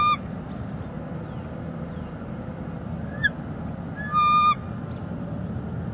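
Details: Northeast Florida nest, February 2021: a female bald eagle tending a chick calls to her mate on a branch, giving one brief faint note and then a single loud, high, harmonic-rich call over low background hum.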